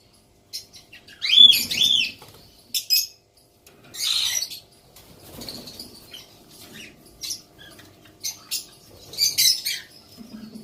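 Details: A young female white cockatoo gives short, harsh, rasping screeches in scattered bursts, with soft flapping or rustling between them. Umbrella cockatoo.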